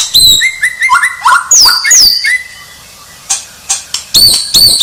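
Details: White-rumped shama described as a champion singer: varied clear whistled phrases, some steady high notes and others dropping in steps, broken by sharp clicks and short pauses.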